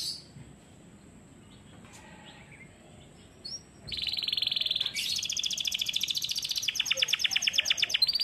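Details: Canary during song training: faint high tones and a short whistle in near quiet, then a sudden loud rapid trill of high pulsed notes that speeds into dense repeated stretches at changing pitch.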